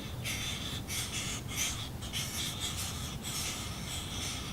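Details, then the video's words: Red-bellied woodpecker nestlings at about day 23 of nesting, very active: a continuous raspy, hissing chorus with pulsing bursts of buzzy noise every half second or so, recorded close up. "Red-bellied woodpecker baby sounds"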